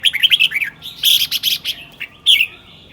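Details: Caged red-whiskered bulbul singing rapidly and continuously in the morning: quick runs of bright, warbled whistled notes, some rising and falling, in dense bursts separated by brief pauses, with a short final phrase near the end.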